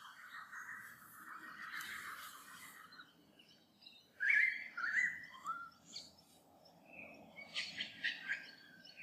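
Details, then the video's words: A lyrebird deep in a valley, imitating many Australian native birds, gives loud, ringing whistled notes, one sliding downward, over harsh chattering of Rainbow Lorikeets feeding in a Banksia and scattered high chirps, in the morning. "Lyre Bird calling"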